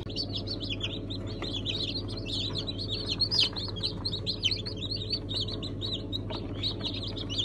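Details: A crowd of newly hatched chicks, Brahma among Sultan, İspenç and Ameraucana breeds, 1 September 2019 hatch, keeps up a continuous mass of thin, high cheeps, with a constant low hum underneath.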